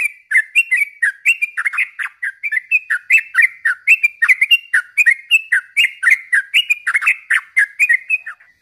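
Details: Yellow-vented bulbul, a lively chattering bird used as a lure and tutor for other bulbuls: bright, bubbling whistled phrases, each a quick rise-and-fall of notes, repeated steadily about twice a second without pause.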